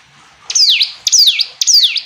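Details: Hill prinia giving three clean, high downslurred notes, each a quick falling sweep about half a second apart, in a clear, quiet setting.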